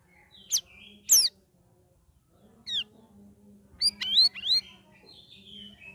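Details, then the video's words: Sooty-headed bulbul kept in a cage and trained for three weeks alongside other birds, singing twittering, ringing phrases. Sharp high chips and quick downslurred whistles come in bursts, followed by a cluster of looping rising notes over a faint hum. "CUCAK RAWIS NGERIWIK NGEPLONG"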